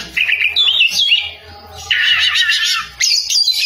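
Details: Oriental magpie-robin singing loudly: dense, scratchy, buzzy phrases mixed with short whistled slurs, in loud bursts with brief pauses between them.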